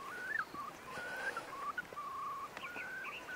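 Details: Far Eastern curlews courting, male approaching female, early May 2016 on the Bira River, Jewish Autonomous Region, Russia: clear, drawn-out whistles, some level and some sliding upward, with a few short rising notes near the end.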